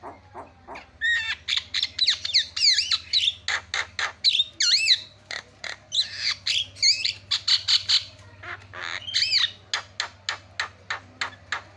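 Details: Continuous starling song played to draw reluctant starlings into singing: dense chatter of clicks, ticks and squeaks woven with looping whistled phrases that rise and fall, with a steady low hum underneath.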